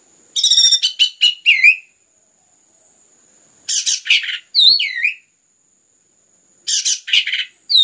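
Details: Orange-headed thrush in full, dense song meant to prompt other birds to sing: bursts of rapid high chattering notes end in looping whistled slurs, repeated about every three seconds, with a constant faint high-pitched tone behind.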